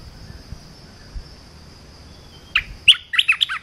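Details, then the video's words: Red-whiskered bulbul song used for teaching young birds, beginning after a stretch of low noise and a high whine: a brief burst of clipped, bright whistles near the end. "เสียงนกกรงตาแดงEp.168 เสียงหัดนกลูกเสอ เพลงเพราะ น่าฟัง"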